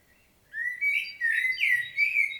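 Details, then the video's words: Common blackbird solo recorded in Świnoujście, Poland, 25 September 2022: after a brief quiet, clear loud fluted whistles in four linked bursts, mellow and slightly wavering. "Blackbird's solo"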